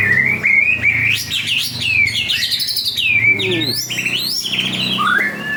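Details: White-rumped shama of the 'panda' type, in full song, delivers rich looping whistles that climb and fall. Quick upswept trills and bright notes follow, with one lower falling whistle near the end, against a faint steady hum.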